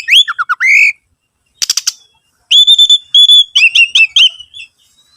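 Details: As a lure to make other birds sing, an Oriental magpie-robin gives warbled slurred notes, a short harsh rattle, then a series of steady loud whistles and quavering phrases.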